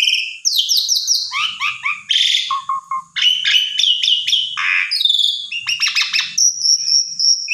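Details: Asian pied starling in full, vigorous song, used to coax a silent bird into singing; a rich medley of high whistles, rising and falling slurred notes, harsh buzzy bursts and chattering runs, ending on a long steady high whistle.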